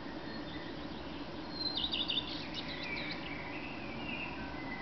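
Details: Early-morning song of a male common redstart, Berlin, 10 May 2010 at 4:15, answered by a second male: a brief cluster of rapid, high, repeated notes, then softer lower warbling over a steady rumble.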